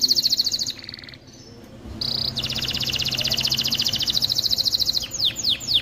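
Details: Canary singing, played to teach young birds and get hens ready for mating: a fast trill, a brief break, then a long rapid rattling trill and a few falling whistles, over a noisy background hiss.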